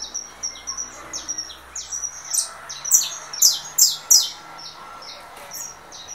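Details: Russo-style saffron finch coming out of moult, in a song duel with a canary played on a phone. High chirped notes build into a louder burst of sharp descending syllables, then fade back to softer twitters, over a faint low hum.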